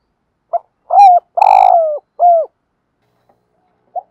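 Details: Decoy spotted dove, male and female on the recording, cooing in the morning to call wild birds: a brief note, then a short coo, a long buzzy coo and a clear falling coo, followed by quiet and one soft note.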